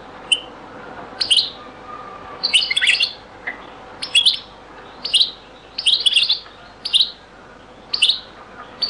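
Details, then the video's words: European goldfinch performing the Beni Messous 'les avocats' (zaboka) song style, from a very old recording; a steady series of short, bright twittered phrases repeated about once per second, some in quick doubled clusters. "تغريد - تسجيلة جد قديمة بني مسوس ليزافوكا | chant beni Messous les avocats zaboka"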